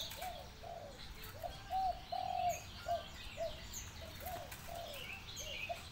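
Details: Derkuku, the spotted dove, in deruk sandungan kuk 2 style: a steady string of about ten hollow coos, a few louder drawn notes in the middle, with faint high chirping from other birds behind.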